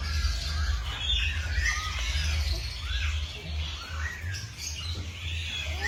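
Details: Several birds sing in the morning with squeaky rising slurs and scattered chirps repeated roughly twice a second, set against a heavy low background rumble.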